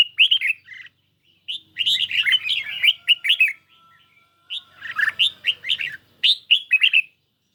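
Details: Red-whiskered bulbul kept in a cage, dueling a phone recording under light sun. It sings three bursts of rapid, rich chirping notes, each lasting one to two seconds, with clean silent gaps between them.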